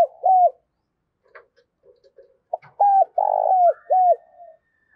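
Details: Spotted dove calling in the morning as a lure for wild doves: an opening coo, a pause with scattered faint clicks and soft notes, then a loud low phrase of three or four coos with a long middle note.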